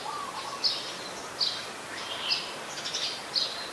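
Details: Harsh, buzzy high calls of an Ashy woodswallow at Ubon Ratchathani, Thailand, 14 December 2019, spaced about every 0.8 seconds, a brief lower note opening the sequence over steady outdoor hiss.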